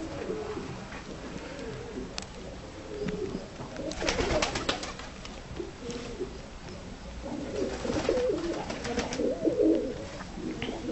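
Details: Tumbler pigeons in a loft, shy in appearance yet easy to control, give repeated low, wavering coos throughout, with bursts of clattering wingbeats and knocking around 4 and 9 seconds.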